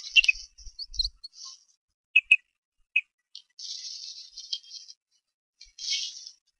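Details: Bald eaglet at the Harrison Bay nest on 5 May 2015, trying to feed itself after a parent ate without sharing: sharp high chirps and short squeaky notes, with longer hissy, rasping stretches and brief knocks at the start.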